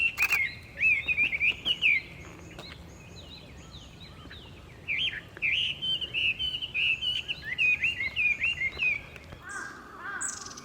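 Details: Hwamei recorded on 21 May 2022: a long, fluent stream of clear whistled notes, varied and warbling, delivered in rapid bursts with brief gaps, ending with a few higher, thinner notes over a quiet outdoor background.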